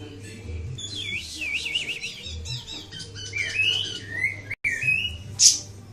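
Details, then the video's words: Ashy tailorbird song: wavering, zigzag whistled phrases in a high register, then sharp rising chirps and a brief loud high burst near the end, over a steady low hum with soft repeated thumps. "Kicauan Burung Siri Siri"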